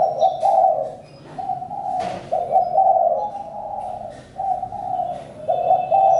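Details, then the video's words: Spotted dove calling in a steady run of low, hoarse coos with brief breaks and a sharp click, over faint high twittering. "Chim cu gáy-Đam mê tiếng chim cu"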